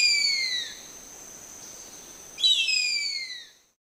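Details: Harpy eagle giving piercing, drawn-out whistled cries that fall slightly in pitch: one fading out at the start, another about two seconds later. A constant high-pitched hum sounds in the background.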